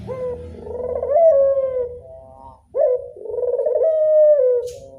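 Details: Classic cooing of a local Barbary dove: two long, smooth, purring coos separated by a short gap, over a faint low background hum.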